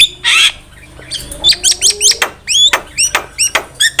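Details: Javan myna song used to lure birds for trapping, opening with a harsh rasping burst, then a steady run of sharp, downslurred whistled notes about three per second.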